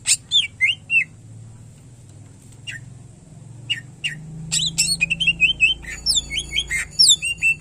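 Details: Cucak ijo (greater green leafbird) in full song: a few whistled slurs and clicks, a quieter gap, then a dense stream of rapid twittering whistles and snapping notes.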